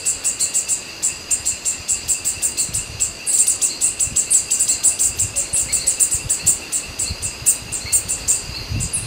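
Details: Purple honeycreeper on the Brownsberg: thin, high chirps repeated rapidly, about four per second, in a steady run with a brief louder stretch midway, over a constant high insect drone.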